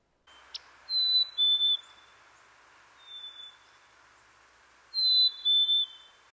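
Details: Black-capped Chickadee springtime call, eastern North America in winter: clear, pure whistles stepping down in pitch, fee-bee style, in two phrases with a lone note between, over a steady low hum.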